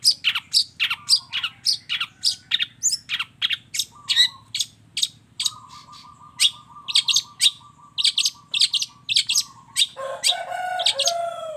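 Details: Long-tailed shrike in lively full song mixing mimicked phrases: a fast run of sharp high chips, about two per second, over a long low flat whistle, ending in a harsh, buzzy, lower rattle.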